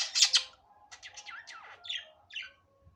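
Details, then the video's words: Natural budgerigar voice, unedited: two loud harsh squawks, then a run of chattering notes and sliding whistles, with faint low knocking underneath. "Muhabbet Kuşu Doğal Sesi"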